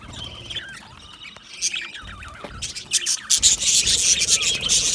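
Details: Budgerigar colony in an aviary, a wavering warbled phrase at first, then a loud surge of fast, high chirping from many birds.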